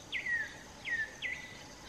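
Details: African emerald cuckoo calling from a song post high in the tree canopy or in the open in southern Africa, to advertise its presence or attract a mate; three clear whistled notes, each sliding down, spaced about half a second apart over a faint hiss.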